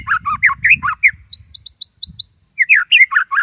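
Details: Gacor white-rumped shama, tembakan Cililin style for masteran: choppy slurred whistles, a run of high rising notes, a short pause, then more varied loud phrases; faint low rumble at the start.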